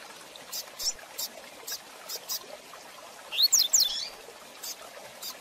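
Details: Fast Tui Tui Zel Zel de Fibra song of a rusty-collared seedeater, recorded to train young birds: a brief run of sharp, upward-sweeping high whistles late in the clip, with scattered dry clicks before and after.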